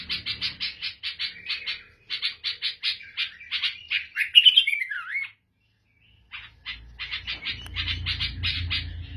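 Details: Syrian or Lebanese black-headed bulbul delivers fast runs of rasping chirps and a looping warbled phrase, a brief silence, then more chirping over low background rumble.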